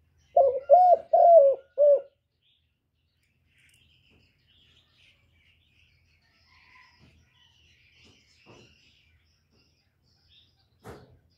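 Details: Spotted dove coos given as three quick, close hoots in the first two seconds. They are followed by near silence with faint distant chirps and a soft tap near the end.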